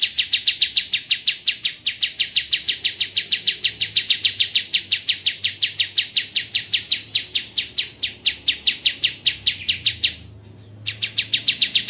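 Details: White-rumped shama master recording for training songbirds, with dense, coarse tembakan. Sharp, harsh chip notes repeat rapidly and evenly, about four a second, for nearly twelve seconds with one brief pause.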